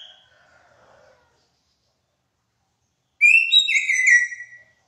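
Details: Hair-crested drongo gives one bright, tumbling burst of whistled and slurred notes lasting about a second and a half, after faint fading notes and a pause; a noted mimic of other birds' songs.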